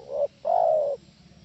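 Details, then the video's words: A single spotted dove phrase, played as a lure so other doves answer: one short swelling note, a brief pause, then a long smooth coo that slowly sinks in pitch. "SUARA TEKUKUR AMPUH..!! BIKIN SEMUA TEKUKUR NYAUT..!!"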